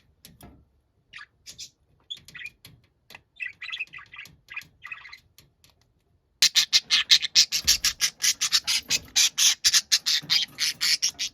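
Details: Angry shouting from a noisy pet budgerigar: soft, scratchy chatter for several seconds, then an abrupt run of loud, harsh, rapid squawks repeated several times a second.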